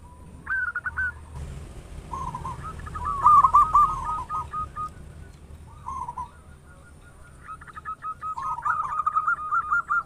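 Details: Local zebra doves with big voices used to spur others to sing; scattered soft cooing phrases, rolling trills around one kilohertz, some louder bursts midway and a longer warbling run at the end.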